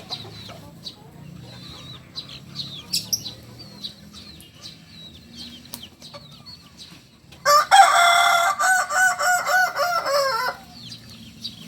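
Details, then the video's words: A Kukuak Balenggek cock native to Solok gives a loud three-second crow broken into several tiered segments, each rich and harmonic. Soft chirping of small birds fills the quiet seconds before it. "Ayam kukuak balenggek ayam asli solok"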